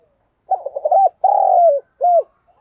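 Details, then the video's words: Spotted dove kept as a decoy, calling to draw in wild doves: a single phrase opening with rapid wavering coos, then a long level coo dropping at its end and one brief closing coo, with no other sounds. "Chim Cu Mồi Thúc Bổi Và Gáy Gọi Hay/ Tiếng Chim Cu Gáy Thúc Gù Căng"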